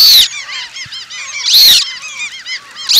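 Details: Flock of Eurasian coots, Asian population, giving a steady chatter of short nasal arched notes, broken by loud harsh bursts at the start, middle and end.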